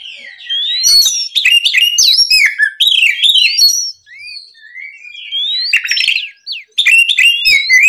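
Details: Oriental magpie-robin in morning song aimed at provoking rivals: fast sequences of high, bending whistles and clicks, an energetic burst, a quieter thin whistled stretch, then another lively run.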